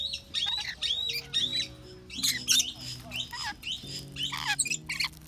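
A rainbow lorikeet utters rapid, harsh, scratchy squawks and chattering bursts in quick succession, mimicking a robotic voice, over low steady tones like soft background music.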